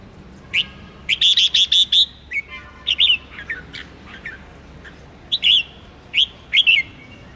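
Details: Bulbul, red-whiskered, singing the 'ché' style to stimulate contest birds; warbled opening, a fast run of identical clipped notes, then spaced, slurred, whistled phrases.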